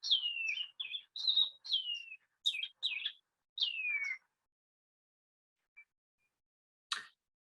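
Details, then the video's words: Shining cuckoo song in New Zealand, a sign of spring heard from September–October: a quick series of high, clear whistles, several sliding downward like 'tsee-ew', over about four seconds, then quiet and a single brief click. "the shining cuckoo is probably one of the most distinctive bird songs in new zealand i'll play that [Music] [Music]"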